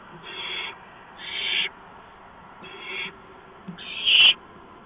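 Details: Nesting barn owl, 4:26 AM, 6 March 2015, with a mouse delivered to the nest; four breathy hisses, the last one loudest and sharper, with a faint tonal edge.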